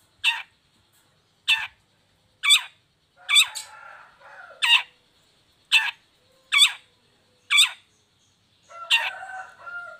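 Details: Long-tailed shrike harsh rasping notes, a lure to get sluggish or moulting shrikes singing: about nine loud scratchy bursts spaced roughly one second apart, some with faint chattering between them.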